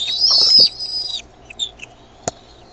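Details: Bald eaglet at Decorah, 13 May 2015 at 6:35 PM CDT, noisy while its mother brings food. A single high, piercing whistled squeal lasts about a second, then faint chips and one sharp knock.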